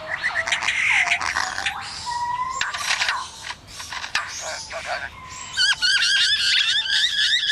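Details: A lyrebird mimics construction noise, apparently learned from workmen installing galvanized corrugated sheeting, with rapid shifting whistles, mechanical-sounding buzzes and clicks, and sharp beeping tones that change every second or so.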